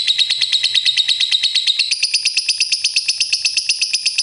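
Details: Lovebird kept as a master singer pouring out a rapid buzzy rattling trill that steps slightly higher in pitch partway through and carries on without a break.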